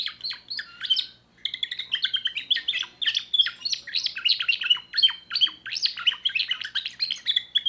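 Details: Young 2024 timbrado canary singing: a brief rolling phrase, a short pause near one and a half seconds, then a long unbroken stream of fast, varied chirps and twittering trills.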